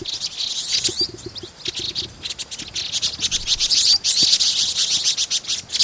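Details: Vinous-throated parrotbills in Pingtung City, Taiwan, on 16 March 2014: a dense, continuous high chatter of many rapid chips, about three or four notes a second, with faint low thumps beneath.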